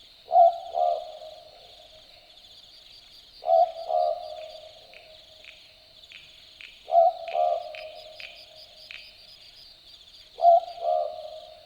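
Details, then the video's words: Australian Boobook (Ninox boobook) calling at night in the Australian bush at Dharug. It gives four typical two-note 'boo-book' calls, roughly every three and a half seconds, each a low hollow note followed by a slightly lower one. A steady insect chorus trills high in the background. "Boobook Owl Call - The sounds of an Australian Boobook calling at night"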